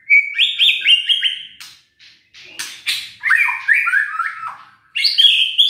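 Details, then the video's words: White-rumped shama lure song meant to rouse sluggish birds: bursts of fluty whistled notes in quick rising and falling runs, broken by harsh rasping notes, then another sweet whistled series. "PANCINGAN EMOSI MURAI BATU LOYO DAN MALES BUNYI"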